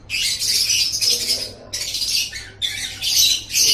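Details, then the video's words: Lovebird, recorded for training songbirds' voices, producing loud continuous screechy, rasping chatter in three long bursts with short breaks between. "Masteran Suara Burung Love Bird"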